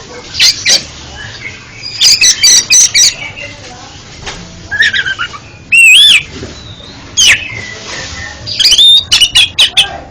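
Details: Oriental magpie-robin song meant as therapy for a stuttering bird: scattered short phrases of clear whistles and sharp clicks, with a loud rising whistle near the sixth second and brief flurries later.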